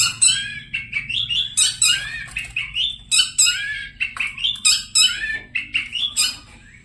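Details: Long-tailed shrike sings a fast, varied song of sharp, rising and falling whistled and scratchy phrases, about a dozen loud bursts in quick succession with brief pauses between them.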